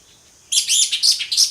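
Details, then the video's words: Orange-headed thrush singing in the ngeplong style: after half a second of quiet, a quick run of high, bright chattering notes in rapid bursts, sharp and clear over a faint background. "ANIS MERAH NGEPLONG, SUARA ANIS MERAH NGEPLONG"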